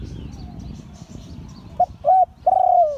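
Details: Liu Tan crowing by a spotted dove of an auspicious line. A noisy, rustling stretch comes first, then one clear phrase: a clipped note, a rounded coo and a long hollow note easing downward.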